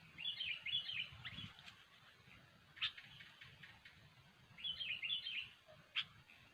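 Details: Sooty-headed bulbul song used as a lure for trapping: two bubbly whistled phrases of a few rolling notes, several seconds apart, with sharp clicks over a steady hiss and low rumble.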